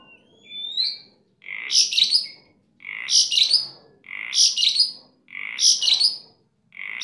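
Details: A kept starling singing in an energetic gacor manner opens with a rising whistled slur, then repeats a harsh phrase five times about every 1.2 seconds. Each phrase starts low and buzzy, then turns into squeaky crackling notes.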